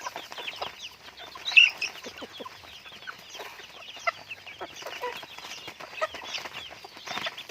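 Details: Chickens kept as pets fill the air with shrill, downward-curving peeps, many birds calling at once in a steady overlapping chatter, one louder squeak near the start, light tapping underneath.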